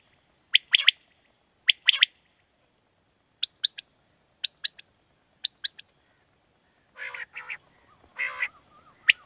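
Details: Quail call from Pakistan, played as a lure for night hunting: crisp three-note phrases of sharp high notes repeated at intervals, then harsher buzzy rasping bursts near the end, over a steady high hiss.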